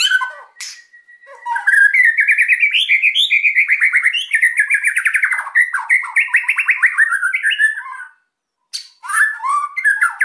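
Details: White-rumped shama singing to prompt reluctant birds: a long unbroken warbled phrase of fast rolling trills wavering up and down for about six seconds, then a pause and scratchy chirps.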